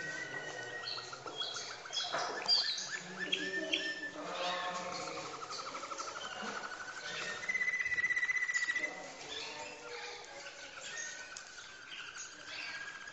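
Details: Malinois canary singing: rolling trills and tours, including a bright sustained trill mid-phrase, with faint speech in the background.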